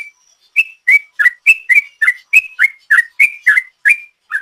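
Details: Yellow-vented bulbul singing in the long rapid 'ropel' style, used as a lure: a fast run of short, slurred whistled notes, each dipping or rising, about three or four a second, clean and without background sound.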